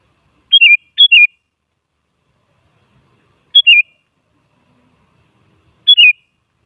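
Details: Sooty-headed bulbul song played to provoke other bulbuls into answering: short bright whistled phrases, a high note dropping into a wavering lower one, given in a pair then singly every few seconds; silent between.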